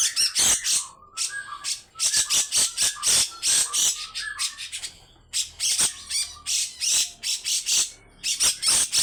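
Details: Grey-cheeked bulbul in loud, harsh chattering song, dense scratchy bursts interspersed with brief whistled notes, in several long bouts.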